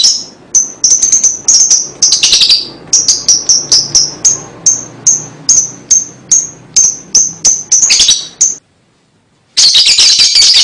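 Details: Lovebird song meant to coax young birds into singing: sharp, piercing single chirps repeated about three times a second, with a few buzzier bursts, then a brief silence and a final dense chattering burst.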